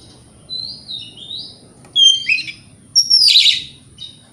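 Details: Lure song of a white-rumped shama for provoking other shamas: two soft gliding whistles, then a louder whistled phrase and a harsh, buzzy scratchy burst, over a low background rumble.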